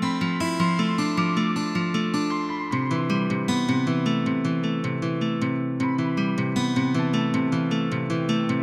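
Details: Strummed and plucked acoustic guitar music plays throughout, with no birds or other animals audible.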